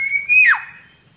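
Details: Single Black-naped Oriole whistle from a lure track for catching wild birds: a level fluty note that swells and then drops steeply in a quick downward slur, backed by a thin steady high tone.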